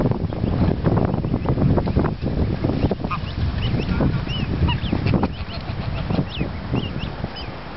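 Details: Geese by the River Thames at Walton-on-Thames, UK, giving short honks, some rising and falling, in loose bursts over the middle and end, against a steady low rumble of wind or traffic.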